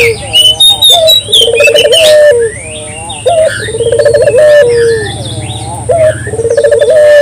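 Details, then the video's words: Lure calls of a local collared dove, clear and repeated: a short rising note followed by a quick trembling run of coos, three times, among scattered high chirps and twitters of other birds. "suara burung puter lokal jernih paling ampuh untuk pancingan pagi siang malam"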